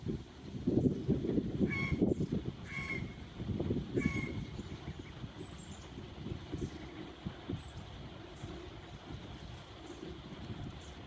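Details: Canada goose goslings on a cold morning, 20 May 2023: three short, nasal, harmonic calls between about 1.5 and 4 seconds. Steady low rumbling and thumping noise runs underneath, with a few faint high chirps later.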